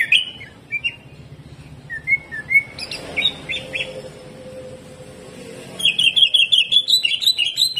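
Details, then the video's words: Greater green leafbird singing in the hyperactive jamtrok style with harsh tembakan kasar phrases. Scattered whistled slurs at first, then a fast, loud burst of sharp repeated notes near the end. Faint low hum underneath. "CUCAK IJO GACOR HYPER TEMBAKAN KASAR"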